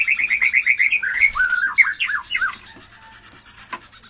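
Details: White-rumped shama in song, caged: a fast run of repeated chirps speeding into looping whistled notes, then sparse high squeaks.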